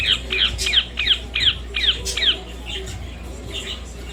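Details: A pet Indian ringneck parrot (rose-ringed parakeet subspecies) gives about eight shrill, harsh screeches in quick succession, roughly three per second, then a few fainter notes against a low background hum.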